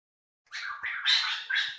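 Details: Medan white-rumped shama giving harsh song meant as a master for training other birds: after a short silence, one dense, raspy, buzzing burst of several chattering notes that rises and falls, with faint clicks below.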